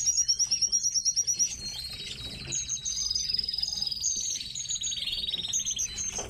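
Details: Captive tits kept at home, giving rapid high-pitched chirps and thin trilled notes in quick runs, with several birds overlapping and a long buzzy high series running through the middle.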